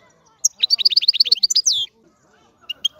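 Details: A single quick European goldfinch song phrase: a run of bright, evenly spaced twittering notes that ends in a short descending buzzy slur, followed by a few isolated chirps.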